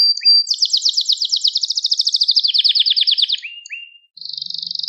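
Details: Gloster canary singing, song meant to stimulate and train other canaries: fast trills of repeated high notes in long rolling tours, switching pitch partway, a brief pause, then another buzzy trill.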